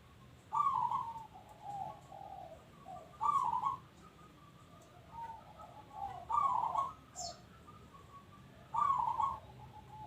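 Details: Local zebra dove (perkutut lokal) singing: bursts of rapid, throaty trilled cooing, each followed by softer lower coos, repeated about every three seconds over a quiet hiss of background noise.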